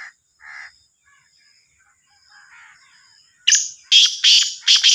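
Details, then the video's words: Black francolin, known locally as Sindhi kala teetar or Sahiwal teetar. Softer scratchy notes come first, after a quiet gap, then a loud burst of four harsh, rasping, clipped notes delivered quickly near the end. "Sindhi Kala Teetar ki Awaz | Sahiwal Teetar"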